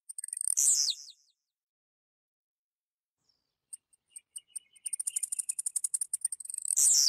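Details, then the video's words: Blue-black grassquit from central-west Goiás, Brazil, singing sharp, high buzzy bursts, with a run of quick, accelerating ticking notes between two of the buzzes. "Canto de Tizil"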